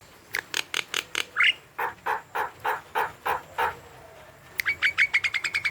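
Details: Javan myna recording used as a lure to get young, new, stalled or reluctant birds to call: harsh broadband notes in rapid runs, a rising squeal, then a steady series of lower clucking notes and a quickening burst of ringing notes.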